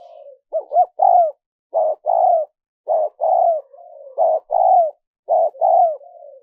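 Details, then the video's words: Spotted dove cooing, a recording played to lure wild doves: short hoarse two- and three-note coos, each phrase ending in a drawn-out falling note, repeated steadily about once a second with brief pauses, no other sounds. "Tiếng chim cu gáy mp3 dùng kích bổi hiệu quả nhất"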